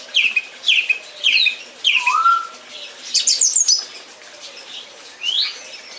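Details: Song thrush repeating one short, bright, chirpy phrase four times in quick succession, then a rising whistle and a rapid trilled burst, followed by a single higher squeaky note.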